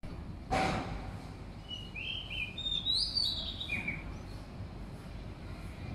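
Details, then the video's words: Oriental magpie-robin singing near a balcony: a short varied phrase of clear whistled notes, some rising and sliding, over steady background noise, with a brief thump near the start. "An Oriental Magpie-Robin (Copsychus Saularis) sang a mesmerising song near my balcony!"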